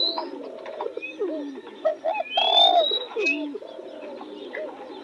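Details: Spotted dove calling near newly bloomed roses. Several low, rounded coo phrases overlap, one loud drawn-out coo stands out mid-clip, and high thin bird whistles are heard in the background.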